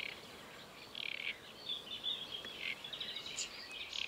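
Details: Great reed warbler at Paxton Pits Nature Reserve on 28 May 2016: harsh, grating croaks given in short bursts, loud, broken chattering phrases following one another with brief gaps, over a faint background hiss.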